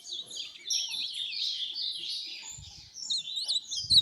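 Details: Azulão, the ultramarine grosbeak, kept as a tournament singer, delivers a dense, slightly muffled run of high warbled and twittering notes that blur together, with soft low knocks in the background.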